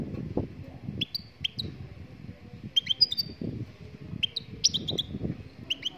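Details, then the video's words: Moroccan goldfinch singing: short, high, clear chirps and bright whistled notes in scattered clusters, some slurred downward, over a steady low rumble with soft thuds. "Chardonneret marocaine chante"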